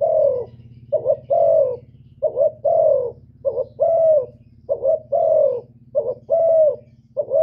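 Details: Cooing of a spotted dove meant to stir up rival males. About six phrases sound in steady succession, each a quick broken coo leading into a drawn-out mellow one, over a constant low droning hum.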